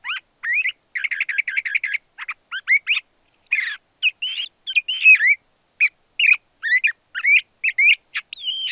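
LeConte's thrasher gives a fast, varied run of slurred whistles, chirps and a rapid burbling trill, mostly high-pitched phrases in quick succession. No other sounds intrude.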